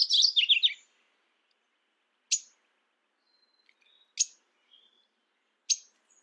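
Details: Mourning warbler calling: a rapid, rolling string of about six chirpy notes descending slightly in pitch, followed by three sharp, isolated chips spaced roughly two seconds apart and a couple of faint thin whistles.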